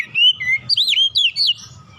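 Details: Oriental magpie-robin song used as a relaxed lure to get other birds singing: clear whistled notes, some held level, others sweeping up and down, in a quick varied phrase under two seconds, with faint low hum beneath.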